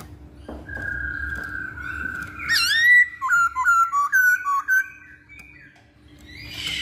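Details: Masked laughingthrush singing as a lure for other birds: a long steady whistle, then a sharp upward slur and a string of short whistled notes at shifting pitches, with faint background hum.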